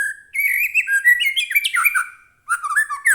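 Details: Captive white-rumped shama in loud, excited song, used as a lure to make other shamas sing. It delivers continuous, fast, fluty warbling with slurred whistles and trills, then a brief pause and a fresh burst.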